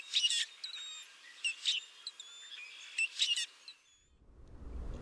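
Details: In a southern Maine backyard in late March, a Common Grackle gives harsh, squeaky bursts like a rusty hinge about every one and a half seconds, with thin high whistles between. Low rumble at the end; the species often flocks with red-winged blackbirds.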